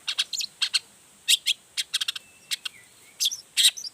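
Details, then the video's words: Long-tailed shrike singing energetically as a lure to provoke other shrikes into answering: a scattered series of sharp, clipped high notes and short harsh bursts, some doubled, with a faint thin whistle in the middle. "Toetan Cendet Gacor Full Emosi Bongkar Materi Bikin Cendet Lain Langsung Panas Nyaut Ikutan Bunyi"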